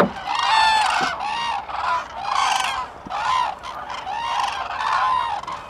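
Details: At Lake Hornborgasjon, Sweden, in April 2017, common cranes call in pulsing waves of bugling notes, roughly one swell per second, from many birds together.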